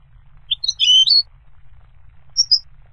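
A goldfinch gives a quick burst of bright, tinkling twitters, then a short high chirp about a second later, over a faint low rumble.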